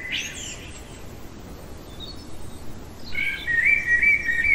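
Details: Common blackbird in song deep in the night, giving a brief high scratchy flourish, a pause of near silence, then a clear fluting warbled phrase; quiet hiss underneath.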